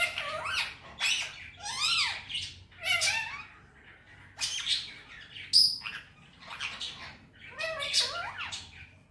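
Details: Pet male Indian ringneck repeating Hindi-Urdu phrases: groups of two to four nasal, squawky syllables with looping up-and-down inflections, separated by short pauses, plus a thin high squeak midway; indoor setting.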